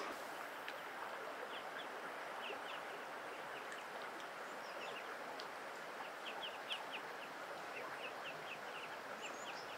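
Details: Wild duck family, ducklings separated from parents on a river on a cloudy day with light rain: thin, high, short peeps repeated in quick scattered bursts, over a steady rush like flowing water.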